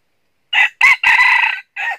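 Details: A decoy red junglefowl crows loudly and close while luring wild birds toward a trap in northern Vietnam. It gives a four-note crow: a short opening note, a drawn-out middle and a short falling end.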